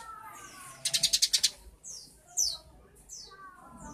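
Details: Eurasian tree sparrow singing: one fast, high, buzzy pulsed trill of about six notes, then scattered sharp descending chirps over a faint low background.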